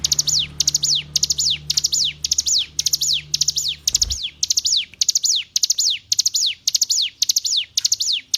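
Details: Hill prinia song for training captive songbirds: a long, even series of high, tight note bursts, each ending in a falling sweep, repeated roughly every half second. A faint low hum sits underneath early on.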